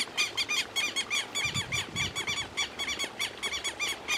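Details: Southern lapwing uttering quick, rasping calls in an unbroken series, about four per second, with a couple of dull low knocks partway through.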